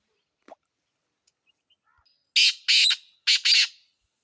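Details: Black francolin calling at close range: after near silence, three loud, harsh, grating notes in quick succession, the last one doubled, forming a rasping phrase of under two seconds.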